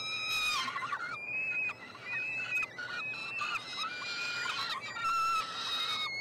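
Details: Peregrine falcon young at a Montreal nestbox, Quebec, Canada, fed on 21 June 2022; a mix of squealing, wavering notes and short harsh cries from several chicks, ending in a longer scream.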